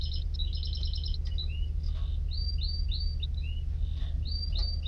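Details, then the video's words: Canary song with a brief fast rattling trill followed by a series of clear whistled notes, some rising, some falling, repeated at an uneven quick pace over a low constant hum. "تغريد طائر الكناري ...Nicest twitter canary"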